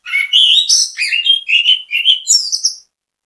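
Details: Orange-headed thrush (anis kembang) bait song meant to get other birds singing: a continuous run of warbled, rising and falling whistles with buzzy high notes, nearly three seconds, no other sounds.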